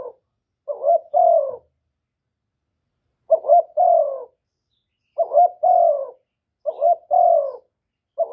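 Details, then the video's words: Spotted dove decoy luring coos, used to stimulate other doves, recorded directly with no background noise. Four paired coo phrases are spaced irregularly, including one pause of nearly two seconds, against an otherwise silent background. "CU ĐẤT GÁY GỌI CHIÊU GÙ"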